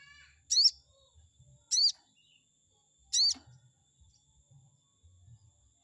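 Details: Chestnut-backed scimitar babbler song aimed at a rival bird: three ringing high notes with an arched, slightly buzzy quality, spaced about a second apart, followed by soft low murmurs.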